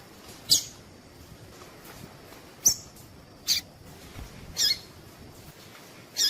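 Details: Female Double-collared seedeater calling to stimulate males to sing: short, very high, thin chips spaced irregularly, five across the stretch, over a quiet hiss.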